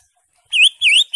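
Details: Green leafbird, a caged bird's song used to prompt another caged bird to sing: three loud, clear whistled notes, each bending up and down, in just over half a second.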